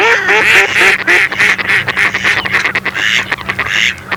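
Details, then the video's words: Mallard calls: quick, clipped nasal quacks at the start give way to a continuous raspy, buzzing chatter of overlapping calls. "YÜKSEK KALİTE YEŞİLBAŞ ÖRDEK SESLERİ - MALLARD DUCK SOUNDS"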